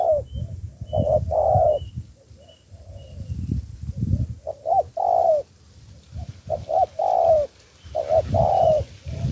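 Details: Cooing spotted dove in decoy training, urged to coo: deep, soft, rounded coos in irregular clusters, some notes sliding slightly downward, with low thumping noise beneath and faint high chirps of another bird now and then.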